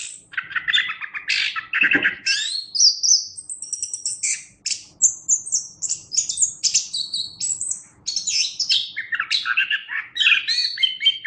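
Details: Chestnut-capped thrush (anis kembang) singing vigorously as a master recording for training songbirds: a rapid, varied stream of loud whistled, trilled and chattering phrases, high and bright, with brief pauses between bursts and no other clear sounds.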